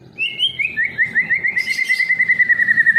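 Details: Short rising whistled notes from a white-rumped shama, raised for contest singing, give way to an even, fast trill held at one pitch, broken once by a brief high buzzy burst.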